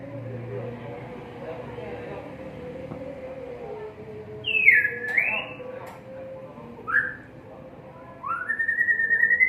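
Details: White-rumped shama kept caged on a terrace: after several seconds of steady low hum, a few loud clear whistles appear, one swooping down and up, then a short slur, then a long rising whistled phrase at the end.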